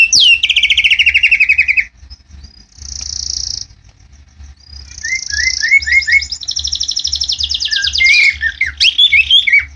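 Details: Murai batu, the white-rumped shama, kept at a bird farm, delivers a varied song: a descending whistle, buzzy sustained phrases, rapid chattering trills and quick rising whistled notes, with a low background hum throughout.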